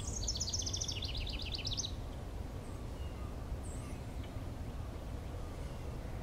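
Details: House Wren singing from a brush pile in southeastern Michigan, hidden in tangles: a quick, bubbling tumble of high notes pours out for about two seconds, over a steady low rumble of background noise.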